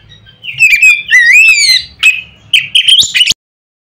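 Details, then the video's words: Loud Oriental magpie-robin song used to provoke other magpie-robins into singing: rich sliding whistles rising and falling, then a burst of sharp upward notes, with a soft low hum behind. "nada keras bikin burung Kacer lain ngeplong."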